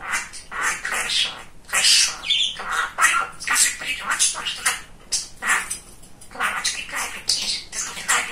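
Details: Very talkative male pet budgerigar mimicking speech: choppy, hissing and squeaky syllables in quick irregular bursts, with short gaps between phrases.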